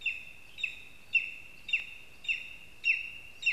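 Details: At a spruce nest in Zemgale, Latvia, a lesser spotted eagle gives loud, clear, high yelping notes, each ending in a brief downturn, about twice a second. A clean, close, steady series.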